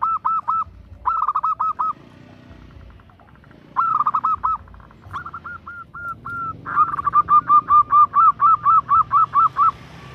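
A female zebra dove calling to a male in quick bursts of short, clipped cooing notes, ending in a longer even run of about a dozen. A low hum sits underneath.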